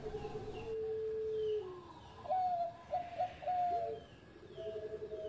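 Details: Singing Bangkok zebra dove, used as master audio for training other doves: a long steady low coo drops away, then a run of stuttered higher notes, then a lower trilled coo, over constant background hiss.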